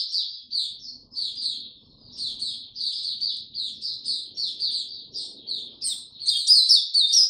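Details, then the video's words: White-eye in warm, very humid weather delivering short bursts of high twittering notes in quick succession, ending in a louder, more intense flurry. "Mata Puteh Hercules buka sing warm n very humid weather"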